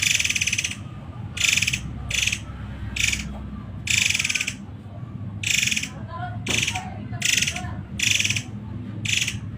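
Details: Rapid 'tembakan rapat' masteran song from a Muray Air: coarse, rattling bursts about half a second long, repeated roughly every second, with a few faint softer notes in between and a low background rumble.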